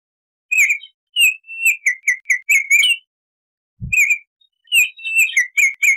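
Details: Baltimore oriole song, offered as a wild, forest-style 'tembakan' (shot) master song for training cage birds: clear whistled notes, some slurred or warbled, given in short runs with brief pauses; one low thump midway.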